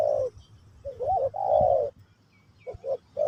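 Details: Terkukur Pesom or Kacuk spotted dove singing for a new bird to learn; a long low coo, a rising looped note, then a drawn-out coo, pause, and a fresh phrase starting, with steady low background hum.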